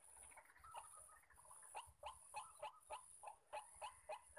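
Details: White-breasted waterhen calling where many males sound all around during decoy trapping; after a quiet start, harsh nasal notes begin repeating about three to four times a second.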